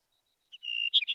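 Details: Brewer's Sparrow in spring sagebrush country giving a brief, very high, dry buzzy trill, insect-like and easily mistaken for a cricket, ending in a couple of sharper, brighter notes.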